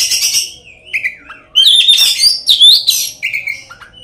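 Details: Oriental magpie-robin singing at full tilt, used as a lure to rouse other magpie-robins to sing and fight: loud, rich, varied song with buzzy trills, sliding whistles and harsh chattering notes, delivered continuously.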